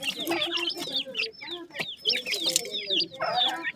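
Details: Francolin chicks, several calling together: dense high, thin peeps, many sliding downward, overlapping in quick bursts, with softer low clucking notes underneath and short clicky noises.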